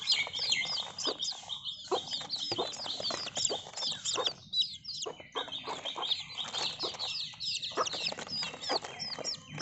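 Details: Many baby chicks peeping together in a dense, nonstop chorus of shrill, sharp, slurred peeps, overlapping thickly, with broadband rustling and scratching underneath.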